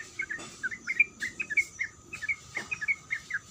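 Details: Short, spaced chirps of a female sooty-headed bulbul calling the male, each note a quick upward flick, given in small clusters separated by brief gaps, with a few faint clicks.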